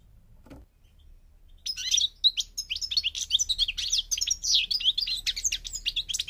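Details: After a quiet start with one soft note, a Moroccan parva European goldfinch breaks into a dense, fast, high-pitched twittering song with tinkling and buzzy notes, about three notes per second, over faint low hum.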